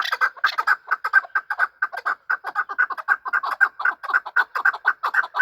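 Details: Chukar partridges calling while fighting, kept as a hunting bird: rapid run of loud, even clucking chuk notes, about two per second, steady throughout.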